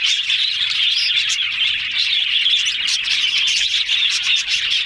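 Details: Yellow budgies sounding happy, a lively overlapping babble of high chirps, chattering trills and squeaks, steady and continuous from start to end.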